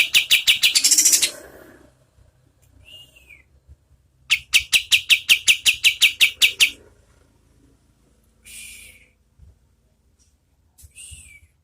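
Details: Song of an oriental white-eye at medium speed, used to train competition birds. Dense rattling notes are followed by a crisp series of about fifteen high chips, with thin downslurred calls in between.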